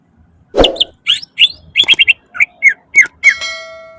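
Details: Greater green leafbird in full gacor song with isian fills: a thud, then quick upslurred whistles and snappy chirps in a steady sequence, ending on a long ringing whistled tone.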